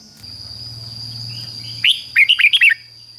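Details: Red-whiskered bulbul giving a 'double' phrase of the fig-jig-fok style, used for training young birds. After a low steady hum, about six sharp, liquid whistled notes come in a rapid burst near the end.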